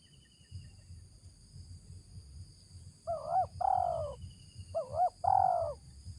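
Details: Wild spotted dove answering a decoy during bird luring, giving the "ngeruk" call style: two phrases, each a quick doubled hooked note followed by a longer, wavering mellow coo, over a low steady rumble.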